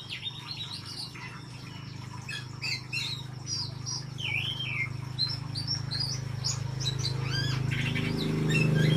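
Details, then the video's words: An Oriental magpie-robin, described as a vigorous (gacor) singer, sings a rapid, varied run of clear whistles, slurred notes and chirps, several each second, over a steady low mechanical hum that swells toward the end. "KACER GACOR"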